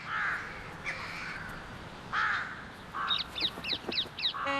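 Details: Western jackdaw in Istanbul, a competitor of the common myna for food, gives harsh, short calls spaced over a few seconds, then a quick run of five sharp, clipped notes.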